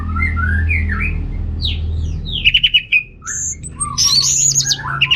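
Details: Varied warbling by an orange-headed thrush from North Bali, played to stimulate males lacking breeding drive: slurred descending whistles, a quick trilled run, then high ringing notes, with a steady low hum behind.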